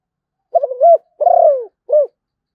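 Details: A single zebra dove song phrase: quick stuttering low coos, then a long purring rolled coo sliding downward, and a brief final coo, with a still background.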